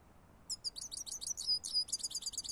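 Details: European goldfinch singing a rapid, bright twittering run of high, tinkling chirps and trills, continuous for about two seconds after a short silence, with a faint low background hum.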